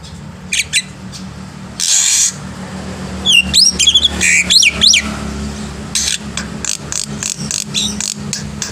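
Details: Black-winged myna in morning song as a tutor for young birds: a harsh rasping burst, then quick zigzag whistles and a string of noisy chips, over low background hum.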